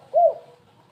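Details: Spotted dove call in the stuttering "kuk3 gagap" style, used as a lure for other birds; a single short, low, slightly wavering coo over a faint background hum.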